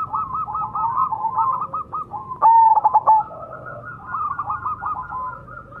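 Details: Zebra dove of the Majapahit type, song used as a lure: rapid rolling trills of soft cooing notes, broken by a louder, clearer stuttering coo midway, over a low background hum.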